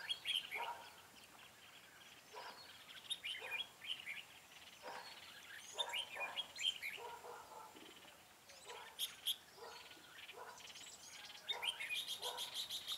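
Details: Red-whiskered bulbul trapping on 4 February 2017, a decoy bird used as lure: lively chattering chirps and warbled notes repeated several times a second, mixed with sharp clicks and rustling bursts.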